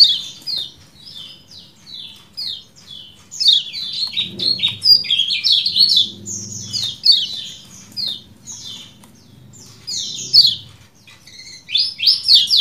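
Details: Common iora in ciak jos style: long, fast series of sharp, steeply falling chirps repeated several per second, with a denser jumbled whistled passage midway and a faint low hum.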